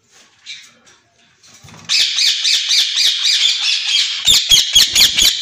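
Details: White ringneck parakeet pair, captive and for sale: near-silence, then a sustained run of harsh, buzzy screeches pulsing about twice a second, closing with crisp clicking sounds.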